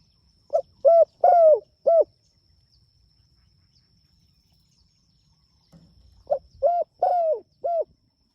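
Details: Spotted dove calling its companions. Two low, soft four-note coo phrases come about five seconds apart, each with a long, downward-sliding third note. A brief low rustle comes just before the second phrase.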